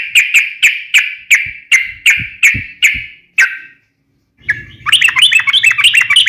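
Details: Sooty-headed bulbul fighting song, sharp and used to provoke other bulbuls into answering; nine loud ringing chirps about three per second, a brief pause, then rapid bubbly chattering over a low steady hum.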